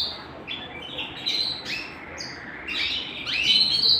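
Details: Home canary song in short separated bursts of chirps and rising slurred notes, growing louder and busier toward the end.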